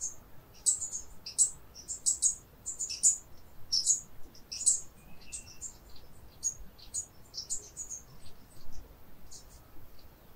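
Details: Brown Inca hummingbird in Northern Peru giving very high, thin, sharp chips in uneven bursts, roughly one every second, over a faint low background hum.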